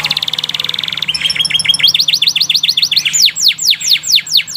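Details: Canary song played to stimulate canaries to sing: a fast trill of rapid even notes, then rows of rising whistled sweeps repeated more than twice a second, bright and high, with a faint low hum below.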